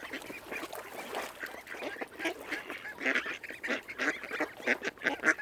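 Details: Mute swans on Lough Neagh at Oxford Island Nature Reserve, County Armagh, Northern Ireland: many short, nasal calls overlap in a steady chatter, with sharper notes near the end.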